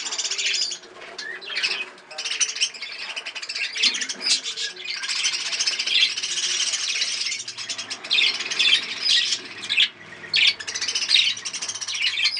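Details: Captive breeding budgies chattering together in bursts of scratchy, warbled high notes, with short lulls around two and ten seconds.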